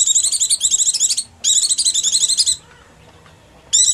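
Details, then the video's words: Oriental white-eye giving its hungry or frightened call, used to draw down small birds: two bursts of hurried, shrill chirping about a second long each, a silent gap, then chirping starts again. "Mp3 Pleci Paling Ampuh Tiada Banding"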